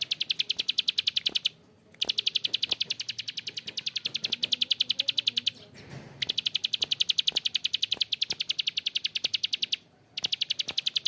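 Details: Bar-winged prinia calling in long harsh ngebren: rapid metallic clicks in extended runs, broken by two short pauses and a brief noisy patch, then resuming at the same pace.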